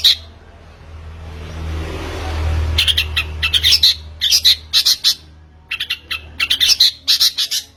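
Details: Long-tailed shrike recorded as a lure for prompting song: after a quiet start, bursts of harsh, grating squawks come in clustered groups with short pauses between them.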